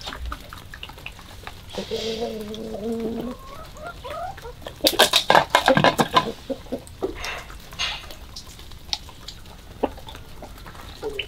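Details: Chicken on a February 2022 morning giving a drawn-out, nasal, level tone for about a second and a half, followed by scattered short clucks amid a loud burst of clattering and tapping noise.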